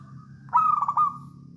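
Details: Short 'songgo ratu' phrase from a local wild Javanese zebra dove, meant as a lure for other doves: a single rapid pulsing trill of bubbling coos that fades into a level tone, with steady low hum underneath.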